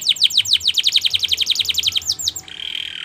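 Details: Training-song canary delivering a rapid series of about twenty sharp descending whistled notes, roughly seven per second, before switching to a soft buzzing roll.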